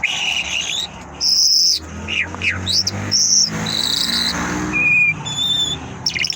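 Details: Mashhadi lark in song, mixing high thin whistles, buzzy bursts and brief downward slurs in uneven phrases, some pure-toned notes at the end, over a low steady hum.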